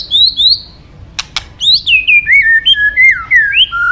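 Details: White-rumped shama, favoured by songbird hobbyists, singing clear whistled phrases: two high slurred notes, a pair of sharp clicks, then a run of loud descending and rising whistles following one after another.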